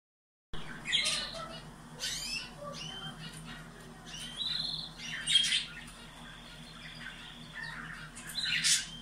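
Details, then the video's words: Caged canaries singing, played to stimulate breeding: scattered bursts of high buzzy trills and short whistled notes with pauses between phrases, a steady low hum underneath. "شغل المقطع مرتين يوميا و شاهد الفرق في طيور الكناري"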